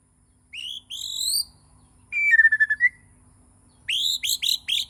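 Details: Morning song of a white-rumped shama from Borneo: two rising high whistles, a rapid stuttering trill that dips lower, then a cluster of sharp upward-slurred whistled notes.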